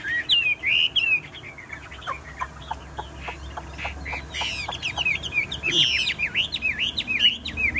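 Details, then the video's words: Tame caged Chinese hwamei that keeps singing even when its cage is shaken: loud whistled slurred phrases of rising and falling notes, with a run of sharp dry clicks in the middle and faint background hum. "Họa mi thuần đét đẳng cấp hót như máy bộ cực đẹp lắc lồng vẫn hót"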